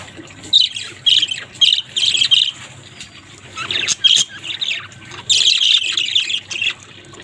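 Budgerigars chatter in bursts of high, scratchy warbles and squawks.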